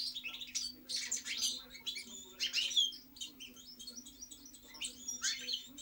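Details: European goldfinch singing a rapid, twittering string of high tinkling notes and short buzzy phrases with brief pauses, over a low steady electrical hum.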